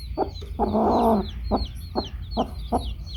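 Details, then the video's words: Hen with her baby chicks: a string of low, gruff clucks. One longer, drawn-out churring note lasts about half a second. Thin, high peeps from the chicks run continuously above. "Baby Chicks hen"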